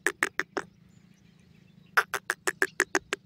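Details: Wild francolin, locally called Dakhni silver teetar or Bangi teetar, singing: sharp clipped notes in a quick burst of four, a pause of over a second, then a longer even run of about eight notes over a low steady hum.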